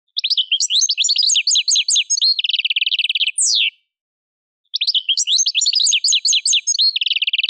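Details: Caged European goldfinch from Algeria singing the torojiw phrase and its variants: rapid high twittering notes with fast trills, a buzzy rattling trill, a sharp downward slur, a brief silence, then the twittering restarts.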